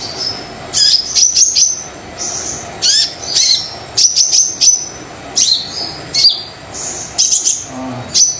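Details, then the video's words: Brown-throated sunbird in vigorous song used to provoke other sunbirds: dense high twittering with sharp downswept notes and thin sustained whistles, bursts tumbling one after another with brief pauses. "Kolibri Dada Coklat Super Gacor Pancingan Kolibri Yang Males Bunyi"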